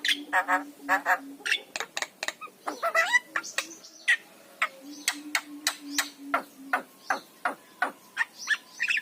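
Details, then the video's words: Javan myna song, a recording kept as a master to stimulate lazy mynas to sing: sharp, rapid clicking notes and squawky whistles in quick bursts, over a steady low electronic hum. "ORIGINAL SUARA JALAK KEBO"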